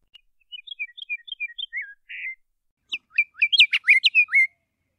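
Scott's Oriole sings a quick run of thin, high whistled notes ending in a short buzz, then a louder burst of rich, slurred fluty whistles after a brief pause.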